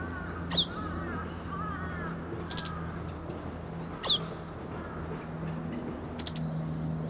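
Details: Meadow bunting practising its song at close range, March 2011, in the stage between calls and full song: descending slurred whistles alternate with short high tick clusters roughly every one and a half to two seconds, soft distant chirping underneath.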